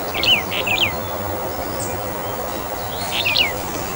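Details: Calls of a Brown bullfinch, subspecies uchidae: two quick phrases of sweet, falling whistled notes at the start and end, with a faint higher bird note in between against a constant noisy background.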